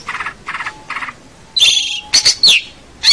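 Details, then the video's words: Long-tailed shrike (cendet or pentet) singing for a training recording for local birds. Three soft, nasal chatter notes come first, followed by a loud, harsh rasp and sharp, whistled, high-pitched squeals. "suara cendet pentet gacor"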